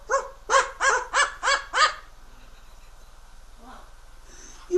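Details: Pet Amazon parrot calling noisily indoors. Six loud, harsh, barking calls come in quick rhythmic succession, then soft voices and faint chatter follow.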